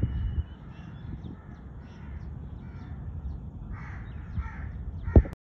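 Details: Crow giving three harsh, hoarse caws in quick succession toward the end, each a short rasping burst, over a constant heavy low rumble of wind or traffic.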